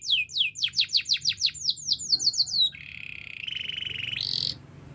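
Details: Training song of a Spanish Timbrado canary: quick falling whistled sweeps repeated about five times a second, followed by flat metallic rolls stepping up in pitch.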